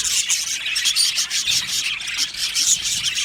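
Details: Budgerigars in a colony aviary, mating and breeding: a brief stretch of thick high chatter, squeaky chirps and thin whistled notes from many birds overlapping.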